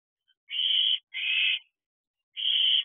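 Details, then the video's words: Owlets and adult owls in a nest box at night, excited activity late in brooding season; three harsh, raspy hisses of about half a second each, two close together and one after a pause. "Excitement at the Owl House."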